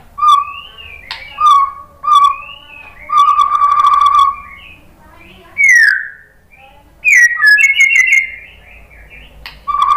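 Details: White-rumped shama song meant to goad other shamas into answering: separate whistled phrases, some sliding upward, with rich trills, sharp high sweeps and short pauses between bursts, over a faint low hum.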